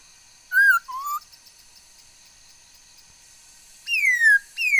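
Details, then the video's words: Chinese hwamei, said to sing many kinds of sounds, recorded 13 August 2021: two short clear whistles, one falling and one rising, then a pause and two loud whistles sliding steeply downward, over a quiet, steady background hum. "noog sab hwj txawj quaj tau ntau yam suab khúớ mầi hót"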